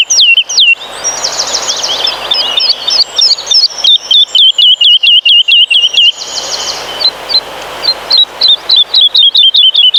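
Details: Song of a woodlark from Poland's pine forests, its soft fluty cascade built of 'lilila' motifs. It opens with a tangle of rapid twittering phrases, then breaks into a fast, evenly spaced run of short whistled notes.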